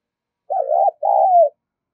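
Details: Spotted dove giving a call used to lure other doves: one loud two-part coo, a wavering first section and a longer second section sliding downward, lasting about a second.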